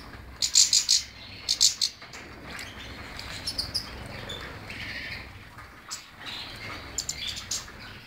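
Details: European goldfinch giving two short, loud buzzy bursts early on, then softer twittering and occasional sharp chirps near the end.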